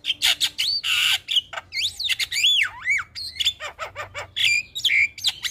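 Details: Javan myna giving its morning call that prompts other mynas to answer, a dense run of harsh rasping squawks mixed with swooping whistled notes that rise and fall, delivered rapidly without pause.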